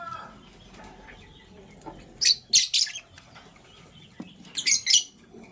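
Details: Lovebirds in the morning, a green one chirping while a blue one scrambles for vegetables; sharp, harsh high chirps come in two quick clusters of three or four notes, with a faint background hum between them.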